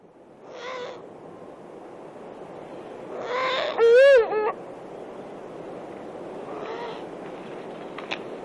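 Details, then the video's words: Eurasian eagle-owl owlets beg for food with hoarse, nasal calls spaced a few seconds apart, one louder and arched, over a steady low hiss, with the adult female's voice in the background. "Owlets begging for food"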